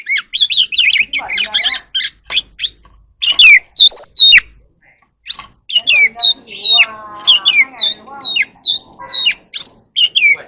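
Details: Oriental magpie-robin at dusk, singing and dancing: a lively jumble of sharp chirps and whistled notes, with a harsher, grating passage midway and repeated bright hooked whistles toward the end.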